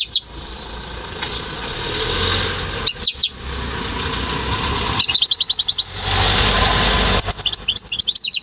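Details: A home-bred goldfinch × canary hybrid, recorded in May 2015, sings short spaced phrases of quick, high chipping trills against a steady background rumble that swells and fades.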